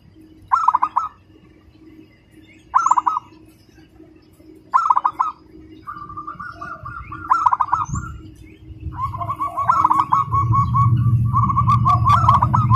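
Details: Local zebra dove, a fast competition-style singer, giving short bursts of rapid, rattling cooing notes about every two seconds, then longer steady trilled phrases, with low rumbling background noise rising toward the end.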